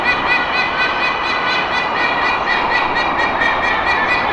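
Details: Resident pair of white-bellied sea eagles in Singapore honking loudly at an intruding, almost-adult young eagle circling their territory. Goose-like, nasal harmonic honks are repeated about twice a second over steady background noise.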